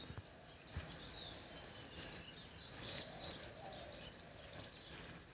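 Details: Sharp, thin chirps from a crimson sunbird repeat irregularly, close to once per second, over a busy background hiss of outdoor ambience.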